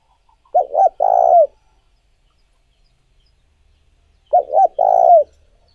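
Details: A spotted dove's stimulating call, used as a lure for training decoy doves. Two quick hollow coos run into a longer burry note. The identical phrase returns after a silent gap of nearly four seconds.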